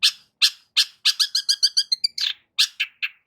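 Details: Long-tailed shrike singing, played to prompt a silent shrike: spaced harsh notes, then a quick run of tinkling whistled notes, followed again by harsh chips.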